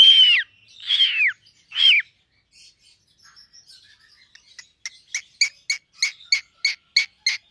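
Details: A pied cockatiel gives loud downslurred whistles, then a run of quick, evenly spaced chirps.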